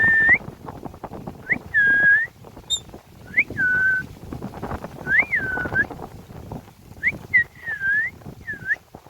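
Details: Ringneck parakeet enjoying itself in a tree: repeated two-part whistles, a quick upward flick then a steady or drooping note, roughly every two seconds, over soft background rustle.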